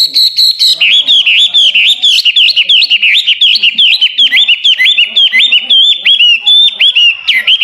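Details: A hwamei (local name wambi) sings a loud, full master song for training songbirds: a high whistled opening, then a steady string of rapid, repeated rising and falling whistled notes.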